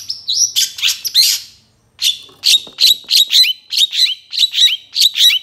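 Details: On a long-tailed shrike master recording for songbird training, a few harsh, noisy bursts, a brief pause, then a steady series of short, sharp, high notes repeated about three times per second.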